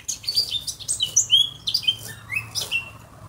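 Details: Eurasian blackcap singing clear, fluty whistled notes that slide up and down, several short phrases mixed with thin high chirps over a quiet background.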